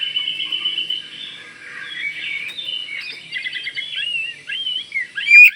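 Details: Oriental magpie-robin from Kalimantan, sung to provoke replies from others: a steady whistled note, then quiet warbling runs and trills, ending in loud sharp whistles.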